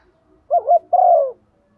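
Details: Female spotted dove used as a decoy, calling in the morning to stir up and lure males: one phrase of quick wavering low notes followed by a longer, smooth, slightly falling coo, in a quiet setting.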